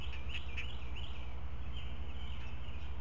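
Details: Four great blue heron chicks at a nest camera getting breakfast, 16 May 2017, as a parent regurgitates fish one at a time; scattered chattering calls over a steady low hum.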